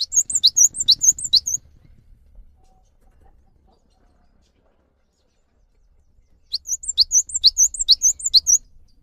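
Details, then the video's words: Cinereous tit song meant to draw an answer from silent or stressed caged tits: two bursts of fast high paired notes, each a downward stroke and a curling whistle, separated by roughly five seconds of near silence and faint low noise. "MASTERAN GELATIK BATU GACOR UNTUK MEMANCING BUNYI GELATIK BATU MALAS BUNYI"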